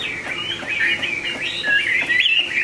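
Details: Pure-bred caged Chinese hwamei of large build singing a rapid run of warbled, wavering whistles that rise and fall without pause, backed by faint room noise.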